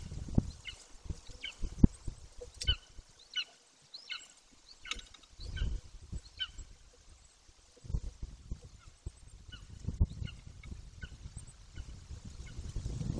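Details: A juvenile golden eagle, 18 weeks old, calls close to its nest in a remote area of Bucovina, Romania, on 9.6.21. It no longer visits the nest but stays in the area, giving thin, high, yelping chirps in short irregular bursts over steady wind.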